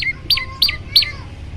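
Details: Varied song of an olive-backed tailorbird, recorded for training birds: four bright, piercing notes falling steeply in pitch, roughly three per second, with a faint low hum.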